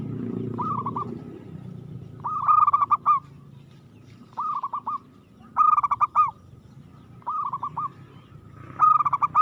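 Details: A perkutut, or zebra dove, singing aggressively, repeating rolling phrases of rapid bubbling coos roughly every one to two seconds, alternating softer and louder bursts, with a low rumble early on.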